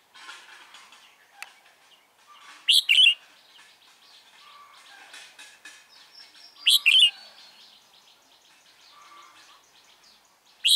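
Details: Red-whiskered bulbul (chào mào), a decoy singing to lure and fight wild birds during trapping on 28 February 2017. Loud, brief double-note bursts repeat about every four seconds over faint high whistles from distant birds.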